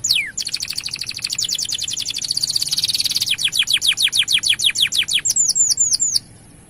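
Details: Male canary singing a long 'gacor' song meant to stimulate males to sing: a long rapid buzzy trill, then faster descending whistled notes, ending in a few rolled phrases.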